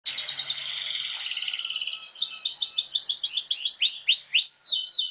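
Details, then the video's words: Domestic canary singing, played to motivate canaries to sing: a dense high buzzing trill that breaks into rapid repeated downward-sweeping whistled notes, growing louder and faster toward the end. "تحفيز طيور كناري على التغريد"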